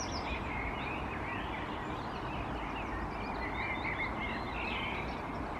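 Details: Common blackbird standing alert on top of a pillar in Helsinki, Finland, in May 2021, singing softly: faint, quiet warbled phrases of twisting notes, barely above a steady broad background rumble.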